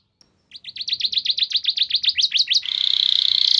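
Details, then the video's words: Canary singing a 'gacor nembak panjang' lure song meant to prompt other canaries to sing: a fast run of about fifteen repeated downward-sweeping whistled notes, then a sustained buzzy trill, with a faint low rumble beneath. "Terapi Burung Kenari Cepat Bunyi Gacor Dengan Suara Pancingan Kenari Gacor Nembak Panjang Ini"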